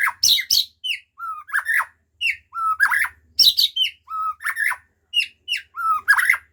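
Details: White-rumped shama performing its full repertoire of fill-in notes: a repeated phrase of sharp high chips, then a mid-pitched fluty note and a downslurred whistle. The phrase recurs about every one and a half seconds over a faint low hum.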